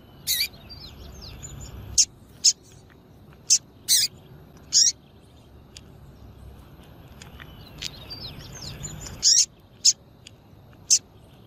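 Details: Female Double-collared seedeater calling to excite males, a call used by breeders before singing tournaments: runs of sharp, very high chips, single or doubled, in two bursts separated by a quieter stretch of faint bird twitters.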